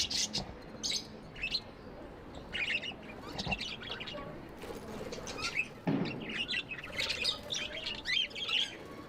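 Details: Pet budgies chirping together: a busy, overlapping stream of high, scratchy chirps and squeaks, with a few louder knocks and rustles, possibly wing flaps, mixed into the chatter.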